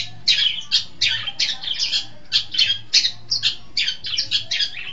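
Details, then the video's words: Long-tailed shrike in a tutor recording used to train caged songbirds: dense run of harsh, buzzy, scratchy notes in quick clusters, nearly continuous across five seconds, with a faint low hum underneath. "Masteran Suara Pentet Cendet"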